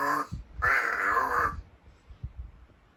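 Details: Rescued large-billed crow kept indoors, most lively in the morning, practising its voice before greeting; a short hoarse call then a longer nasal, wavering cry, followed by soft low grunts in a small room.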